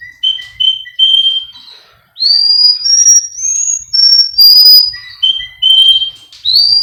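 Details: Russian canary, a male singer kept by a breeder in Miami, Florida, in a training recording: short repeated whistled pips, then a run of long pure whistles that rise step by step and fall back again.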